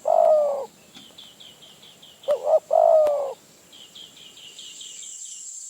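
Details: Wild spotted dove near a decoy in Phrae, Thailand. A long coo is followed by a phrase of two quick notes and another drawn-out coo. Rapid thin high chirps from another bird come before and after.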